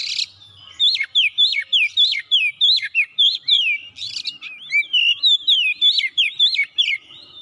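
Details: Singing kacer (Oriental magpie-robin) on gacor, challenging a rival: a steady, loud series of about eighteen whistled notes that dip sharply, four to five each second, with a brief harsh note midway.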